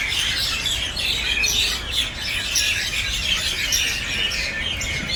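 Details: Common mynas making noise, a flock calling together in a dense, continuous wash of harsh squawks and chattering chirps with no pauses.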